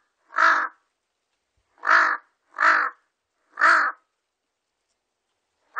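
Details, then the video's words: Four loud, rasping caws from a Large-billed crow, the first alone and then three in a quicker group, with another starting at the end; a 2020 National Institute of Biological Resources recording with a silent background. "큰부리까마귀, 여러번 듣기"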